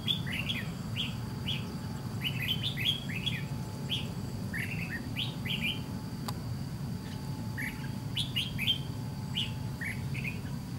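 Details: Red-whiskered bulbul, a white-cheeked bird, singing during trap fighting with a caged decoy: a steady series of short, bright, warbled phrases of two to four notes, repeated every half second to a second over a low rumbling background hum.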